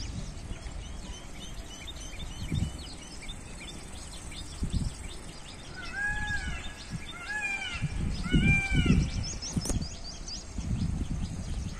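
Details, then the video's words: Indian peafowl at a village railway station, Vanjipalaiyam near Tiruppur, with trains around: three or four loud, wailing, cat-like calls in quick succession over a steady low rumble and general outdoor noise. "Peacock Sound"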